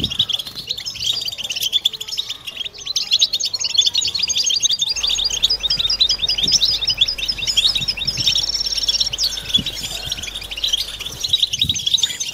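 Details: European goldfinches in a collective twittering chorus meant to stimulate females and mating song. Continuous bright, tinkling twitters and quick trills stack densely, growing fuller after about five seconds, with a steady low hum beneath.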